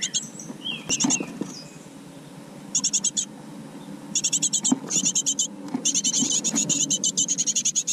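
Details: Great tit chicks in a garden nest box give very high, rapid pulsed chirps in bursts of about half a second, growing into a near-continuous chatter, over a faint low hum.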